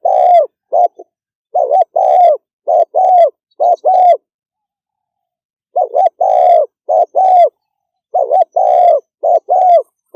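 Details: Spotted dove in fast 'thúc gù' cooing: low, hollow coos in short runs of three to five, each run a quick pair then longer notes, separated by silent gaps of one to two seconds.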